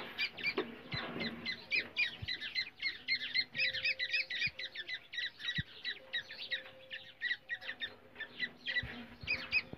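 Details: Black francolin call from India, used to lure and trap francolins: a fast, steady run of short, sharp squawking notes, about four every second, with faint low hum beneath.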